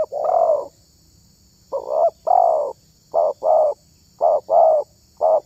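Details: Spotted dove with a voice prized by bird-luring hobbyists, repeating low mellow coos in groups of short and longer notes with brief pauses between, loud and clear over a thin steady high hum.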